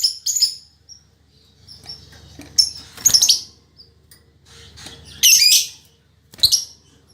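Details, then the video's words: Very chatty female lovebird with a fighter nature: irregular harsh squawks and scratchy chirps, some faint and some loud, with soft low background noise. "Suara Burung Lovebird Betina Fighter"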